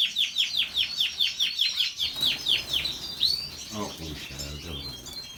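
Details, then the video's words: Canary song opening with about ten quick repeated downslurred chirps, then a rising whistle and busy twittering, with a low rattling sound in the background during the second half. "canary bird-kanarienvögel-الكناري- کەناری"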